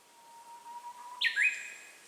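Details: Japanese bush warbler, heard through a handheld camera: a low, steady whistle held over a second, then a sudden loud burst of higher, ringing, quickly falling notes that trails off into quiet.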